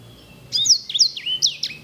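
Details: Sanger canary, an edel/herda singer type with fine rolling song, gives a quiet lead-in, then a run of clear high whistles, each sharply dipping and rising, spaced about a quarter second apart.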